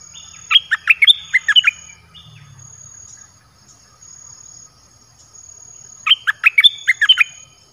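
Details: Caged red-whiskered bulbul singing dok taeng style phrases, played to lure wild birds: two loud bursts of five or six quick, bouncing whistled notes, about five seconds apart, over a thin, steady high insect-like tone.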